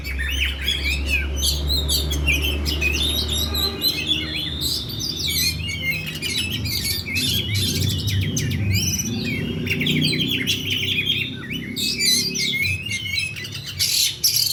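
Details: Kacer, the Oriental magpie-robin, in 'ngeplay' delivery, calling: busy strings of high chirps, quick slurred whistles and scratchy notes run without pause, over a steady low hum that is strongest in the first few seconds.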